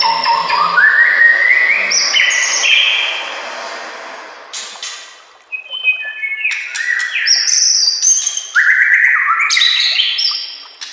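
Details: Master song of a white-rumped shama for training and luring caged birds. It starts with a long phrase of stepped rising whistles, pauses briefly, then gives varied fluty notes broken by sharp harsh chips.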